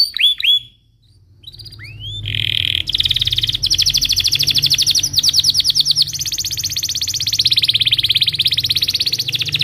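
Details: Belgian canary singing in the morning as a lure for young canaries: a few curved whistles, a short pause, then a long dense buzzing trill over faint low rumble.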